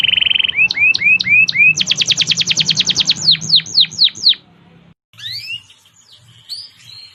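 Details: Canary singing as training material for young canaries: buzzy opening trill, rising slurred notes, a rapid rolling trill and downslurred whistles, then a quieter pause with scattered distant chirps.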